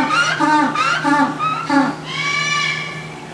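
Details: At Matsue Vogel Park, an African (Cape) penguin brays in harsh, donkey-like honks ending in one long drawn-out note, seemingly demonstrating its call to the others, as if practising a song.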